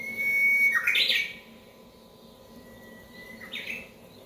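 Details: Wild Japanese bush warbler that flew into a house after its song was played: two songs, each a long steady whistle followed by an abrupt, loud, rapid flourish, set in a quiet room.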